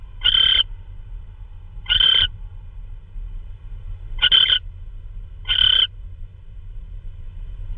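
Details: On March 16 2013 at 3:12 AM, an owl arrives with prey, maybe a vole. Four loud, raspy hissing bursts fall in two pairs, with a longer pause between the pairs and quiet low rumble throughout.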